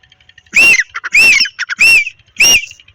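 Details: Pakistani grey francolins, a breeding pair with the female calling in a field during the breeding season: four loud, ringing, arched notes delivered roughly every 0.6 seconds, each followed by a short softer clucking note.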